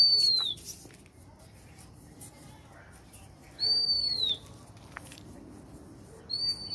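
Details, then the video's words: Bird repeating a clean, high whistled note roughly every three seconds, each note arching slightly and sliding down. Three calls are heard, with a few faint clicks and a low background murmur. "suara burung kesepian"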